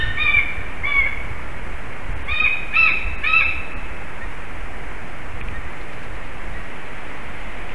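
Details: White-tailed eagle pair at their nest in Slītere National Park, Latvia, about 8:41 am on 26 February 2021, during mating and bonding. Five short, harsh, yelping notes over about three seconds, then silence against a steady low rush of wind.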